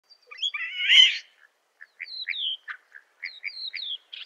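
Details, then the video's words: European starling chicks at a nest beg while being fed: a loud, harsh, buzzy burst, then a string of short high chirps and thin down-slurred whistles, about two or three each second. "European Starling feeding baby birds"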